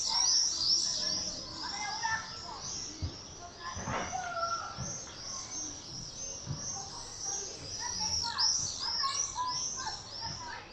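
A screaming party of common swifts: many shrill, buzzy screams overlap almost continuously, rising and falling as birds sweep past, with faint low background sounds.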